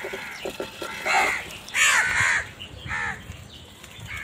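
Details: Crows calling in the morning while searching for food: harsh, hoarse caws in short bursts, the loudest near two seconds, with fainter caws before and after and a low background rumble.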